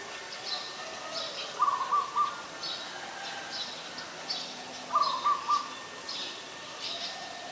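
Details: Ashy Woodswallow at Ubon Ratchathani, Thailand, 20 October 2021, repeating a quick, pulsed, nasal phrase twice, about three seconds apart, while other birds give faint high chirps throughout.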